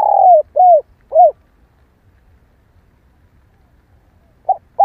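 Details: Female spotted dove calling to stir males into calling: three descending cooing notes in quick succession, then about three seconds of silence before two further coo notes start; quiet, clean background.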